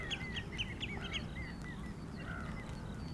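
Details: Talkative common redshanks calling in the rain give a quick run of about five clear, piping whistles, then a few drawn-out notes, over a steady hiss of rain.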